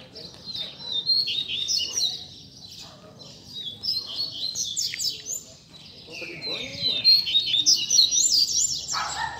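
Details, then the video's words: Double-collared seedeater (coleiro) singing a 'puxada' tutor song used to teach young birds and fire them up: rapid, buzzy, twittering phrases pitched high, running almost continuously with brief pauses, plus a faint low hum beneath. "PUXADA TOP PARA FOGUEAR E ESQUENTAR A FIBRA - COLEIRO PROFESSOR APRENDIZADO"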